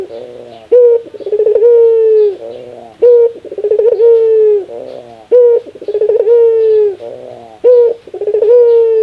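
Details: Barbary dove giving its laughing call, described as a very rare sound: loud, repeated low cooing phrases, each opening with a sharp rising note and then a sustained, warbling coo, about four phrases in nine seconds, in a quiet, small-room setting.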